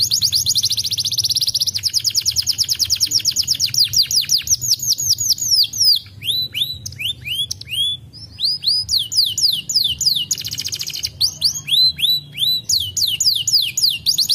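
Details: Singing canary opens with a long, rapid high trill, then switches to spaced, sharply descending whistled notes and a further quick trilled burst before more slurred whistles.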